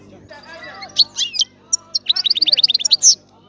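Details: European goldfinch singing over a murmur of low background sound. Scattered bright chirps are followed by a quick run of sharp repeated twitters and a final buzzy note.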